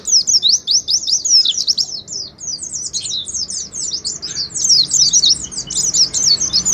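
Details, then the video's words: Oriental white-eye singing ngalas style, a lure track meant to prompt caged white-eyes to sing: a continuous stream of fast, thin, high zigzagging chirps, with only a brief dip in the middle, over a quiet background. "Terapi suara pleci ngalas , pancingan pleci ngalas awass nyaut"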